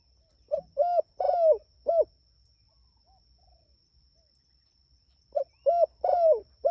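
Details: Spotted dove in full voice calling its companions, giving two cooing phrases about four seconds apart. Each has a short lead note, a clear coo, a long falling coo and a closing coo. Faint high whine throughout.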